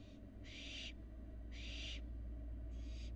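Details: Barn owl fledglings very active outside their nest box in Florida; loud rasping hiss-screeches, three in about three seconds, each roughly half a second long, over a low steady hum.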